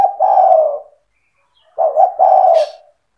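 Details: Spotted dove giving cetretan-style song to provoke other doves: two phrases, each a long, soft, slightly falling coo after short lead notes, with a brief hiss of noise at the end of the second.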